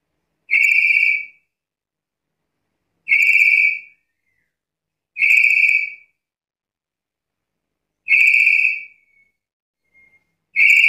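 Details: Black-capped lory repeating a loud, clear, steady whistled note about every two and a half seconds, each note ending in a short fading tail, with nothing else audible.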